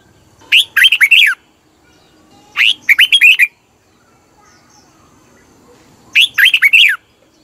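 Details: Thai red-whiskered bulbul singing, a recording meant to excite caged birds: three bouncy warbled phrases, each four or five quick up-and-down notes, separated by quiet gaps.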